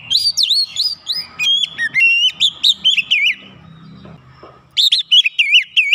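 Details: Agitated Oriental magpie-robin answering a lure recording with its repertoire of fill-in phrases: swooping whistles, a rippling warbled run, a short quiet gap, then another quick burst of notes.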